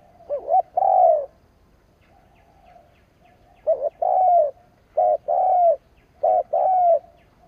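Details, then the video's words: Caged spotted dove used as a decoy, calling to excite rival doves: repeated phrases of a short wavering coo followed by a longer, slightly falling drawn-out coo, three phrases across the stretch. "Cu mồi gáy gù / Tiếng chim cu mồi kích bổi / Cu mồi gáy bổi nghe hăng máu"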